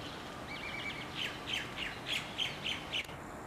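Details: Wild chickens in Hawaii, a mother hen uncovering her chicks: a run of high, thin chirps repeated several times a second, loudest toward the end, over soft steady background noise.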